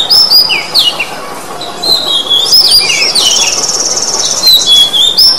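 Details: Oriental magpie-robin song, played to stir a bird that has stopped singing into song: loud, varied whistled phrases with sharp upslurs, downslurs and short trills, delivered in quick succession with a brief rough buzzy passage midway.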